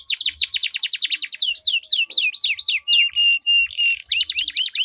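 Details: A canary duel of sweet long rolling song: a run of fast identical falling notes shifts into crossing up-and-down whistles, then short flat high tones and a renewed rapid trill.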